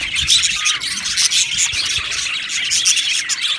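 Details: Australian budgies chirping and singing in an aviary colony: dense high twitter with squeaky warbles and occasional squawks, many birds overlapping continuously.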